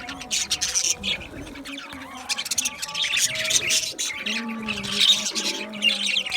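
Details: Budgerigar flock in an aviary: irregular bursts of harsh, high chirps and rapid chattering, interspersed with short warbled and whistled phrases, growing busier after four seconds.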